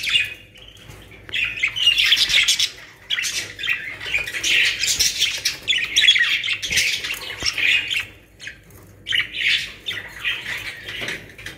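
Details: Several caged budgerigars in Pakistan keep up a long stretch of loud, grating chatter and squeaky warbles, fading briefly near the end before another burst of calls.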